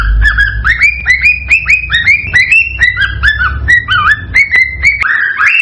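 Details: Cockatiel song played to encourage cockatiels to mate: a series of short rising whistled notes repeated about twice a second, each sweeping upward with a slight warble, over a faint low hum, ending on a longer upslurred whistle.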